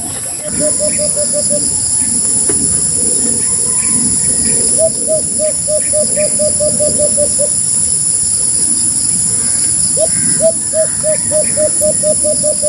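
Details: White-eared brown dove giving repeated bursts of short, low hoots, each run speeding into an even series, heard over a loud, steady buzzing hum and rumbling background noise.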